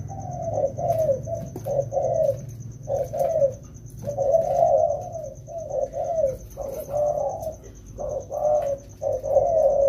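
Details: Two wild-caught spotted doves being trained indoors during the rainy season, cooing in a steady run of low, hoarse, rolling notes with brief pauses; a faint high steady tone runs throughout.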